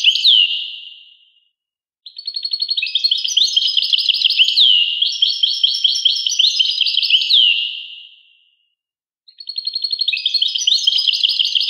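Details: ['Bursts of European goldfinch song separated by two silent gaps: dense, high twittering phrases with rapid chirps and sliding whistles, each phrase fading out before the next begins.']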